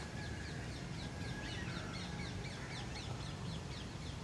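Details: Oriental magpie-robin recorded on a Pixel 4A phone at 2x zoom: a busy run of short, high, sharply rising and falling chirps repeated steadily throughout, over a constant low rumbling background hum.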